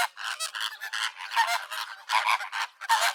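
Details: Flamingoes calling: a dense run of rapid, goose-like nasal honks and grunts, overlapping and uneven in rhythm, as from several birds together.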